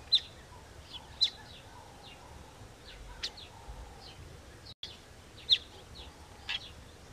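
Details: Southern masked weaver calling at the nest with isolated, sharp, high-pitched chips, a few louder ones separated by longer quiet gaps, faint softer ticks between them, a brief dropout midway, and low ambient noise throughout.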